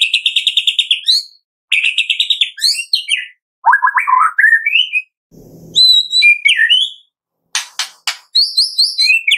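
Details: White-rumped shama song used as a lure to get captive shamas singing: loud, varied whistled phrases, with fast repeated notes, rising and falling slurs and rapid trills in short bursts separated by brief pauses, plus a soft rustle midway.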